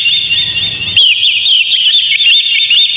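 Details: Brief Oriental magpie-robin lure meant to provoke a caged bird: a low murmur first, then sudden loud, rapid twittering whistles to the end.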